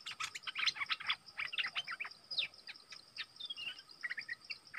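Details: Stripe-throated bulbul used as a decoy bird for trapping, dated 25 August 2021: rapid bright chirping notes and short rising-falling phrases packed closely together, with other birds calling and a steady insect-like hiss in the background.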